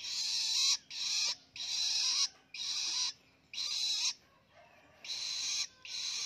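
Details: Independent hand-raised long-tailed shrike fledgling learning ngelolo: loud grating, buzzy rasps of roughly half a second, repeated in a steady series with brief pauses and one longer break near the middle.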